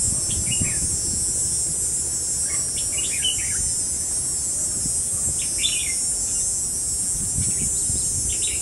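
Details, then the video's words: Red-whiskered bulbul singing in a fighting trap to attract wild rivals, dated 5 July 2016: scattered chattering whistled phrases every couple of seconds beneath a loud buzzing insect chorus. "Bẫy đấu chim chào mào"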